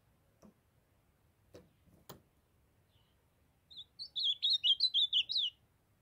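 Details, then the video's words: Young azulão (ultramarine grosbeak) from northeastern Brazil: a few sharp clicks and taps come first, then the bird gives a fast phrase of rising and falling slurred whistles lasting about a second and a half. "Azulão jovem cantando fenômenal❤O lindo canto azulão do Nordeste"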